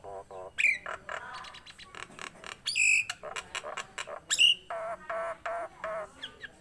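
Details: Nias hill myna, a tame captive bird singing vigorously. It mixes nasal, buzzy notes with piercing high whistles at intervals and irregular bursts of harsh, broad calls.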